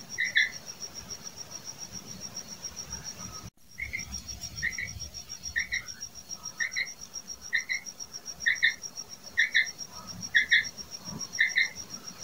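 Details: Female common quail (batair) calling: short paired notes repeated steadily about once a second, each with a brighter upper tone, over a constant high-pitched insect whine and faint background rustle.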